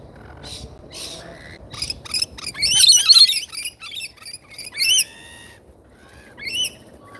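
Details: Rainbow lorikeets at a feeder in Australia, live feeder camera; harsh screechy bursts and chattering squeals, densest around the middle, with scattered single calls after a pause.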